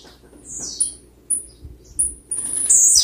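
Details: A Blue-black grassquit sings persistently, giving short, very high, buzzy notes about one every half second that grow louder and denser toward the end.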